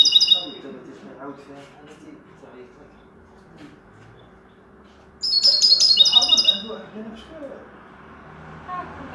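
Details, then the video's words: Linnet singing goldfinch-style song: a short high twittering phrase opens, a man talks through a quieter stretch, then a long loud burst of jingling, rapid high trills erupts near the middle. "Pardillo educado a cante de jilguero"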